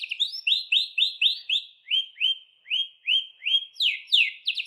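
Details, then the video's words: Canary song meant to get caged birds singing: a steady series of rising, slurred whistled notes about three per second, shifting pitch partway, ending in quick sharper chirps. No background noise. "burung kenari bakal ikut bunyi dengar suaranya"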